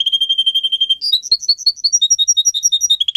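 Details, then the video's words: Pet canary song: a quick steady trill switches to a series of sharp rising and falling whistled notes in rapid succession, lively and varied. "Canary song video - type of song"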